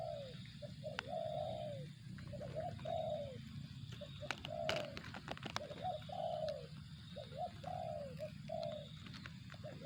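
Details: Spotted dove cooing: soft, low coos repeated in groups, each a short note followed by a longer drawn-out one, over a steady low hum with a few sharp clicks.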